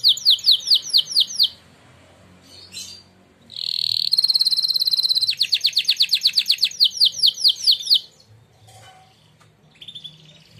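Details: Contest-winning canary singing a training song: bursts of quick repeated chirps, short gaps, then a bright pulsing trill of rapid notes lasting several seconds before fading into quiet and a few scattered notes.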